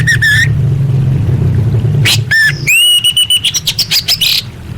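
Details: Masteran material for orange-headed thrush: a short whistled pair of notes, then a fast run of bright, slurred whistles and a quick descending series of high clicks, over a deep humming background.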